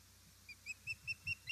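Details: Osprey at a nest in Estonia on 1 September 2019, late afternoon, as a fish is delivered: a run of about seven short high whistled chirps repeated every fifth of a second, with faint background noise.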